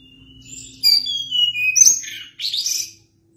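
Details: Sunda blue robin singing continuously, a high whistled note held steady, then a sliding whistle falling in pitch, followed by bursts of sharp, squeaky, varied twittering phrases.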